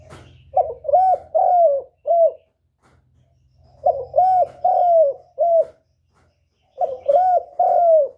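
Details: Spotted dove calling, a recording used as a lure for trapping: three phrases of low, hoarse coos, each phrase about four notes ending in a longer falling coo, repeated roughly every three seconds in a quiet setting.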